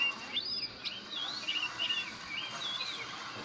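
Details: Oriental magpie-robin, a white-coloured bird in the wild forest: clear whistled notes and short slurred phrases, some rising and some falling, sung over steady hissing forest background noise.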